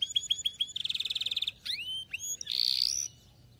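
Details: Canary singing, played to stimulate and train young canaries: a loud, varied phrase with a run of repeated chirps, a rapid buzzy roll, sharp downslurred whistles, and a harsh sustained high note.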